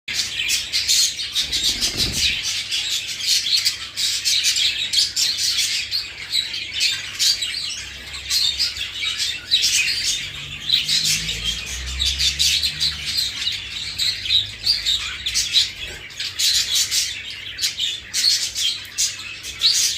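Budgerigars chatter nonstop in high, scratchy warbles and rapid chirps.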